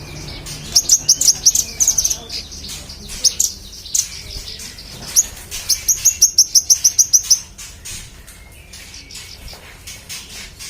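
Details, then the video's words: Magpie-robin in energetic song, used as a tutor recording for training contest songbirds: bursts of rapid, sharp, high chirps repeated about three per second, in two main runs, over steady background hiss. "manggaran gacor cocok untuk masteran burung lomba"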